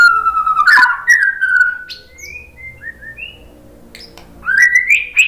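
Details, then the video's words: White-rumped shama song for provoking other shamas: a long smooth whistle sliding down, soft high fluting notes in a quiet middle, then a loud rising whistled phrase at the end. "OCEHAN MURAI BATU Untuk Merangsang BUNYI jadi NYAUT GACOR BONGKAR MATERI ¦ PANCINGAN MURAI"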